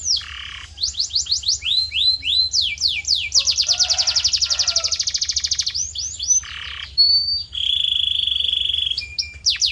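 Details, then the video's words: Canary song used as tutor audio to train a young canary's voice: loud, fast, rapidly repeated rising sweeps, a long steady rattling trill, then a clear sustained whistled note and closing chirps. The recording is clean, with no other sounds. "Special Audio to Shape Your Canary's Voice Character"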